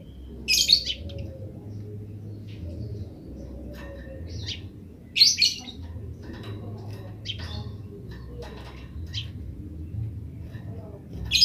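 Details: Eurasian tree sparrow 'grece' song with wild birds answering: loud, sharp chirps spaced several seconds apart, separated by softer scattered ticks and short notes over a low background hum.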